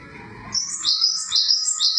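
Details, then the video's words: Java sparrow song: after a short low rumble, bright high chirps follow in quick, evenly repeated phrases, each one sliding a little lower in pitch. "Suara burung glatik"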